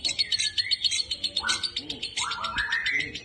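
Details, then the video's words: Male lovebird singing while being sunned: rapid, continuous high chattering twitter with buzzy rising sweeps, the notes pulsing several times a second. "lovebvird konslet jantan proses penjemuran"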